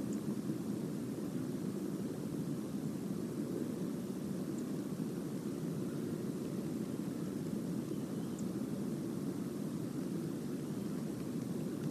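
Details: A steady low rumble like a distant aircraft or engine fills the whole stretch, with no animal calls standing out.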